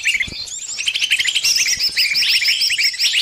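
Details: Bird stuck in a trap pleads for help from its friends with rapid, clustered chirps, while a brighter run of high notes from other birds rises above the calls.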